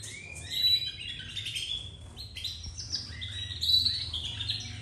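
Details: Many young domestic canaries beginning to sing chatter and warble together in a dense, high twittering chorus.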